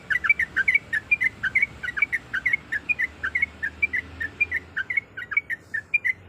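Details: Yellow-vented bulbul female calling her mate while in breeding condition: continuous rapid, slightly whistled chatter notes in quick groups, over a noticeable hissy background.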